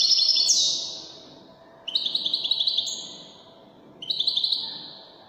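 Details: Goldfinch singing Moroccan wedani-style phrases: a loud, high ringing note sliding down, then two shorter bursts of rapid, buzzy twittering about two seconds apart.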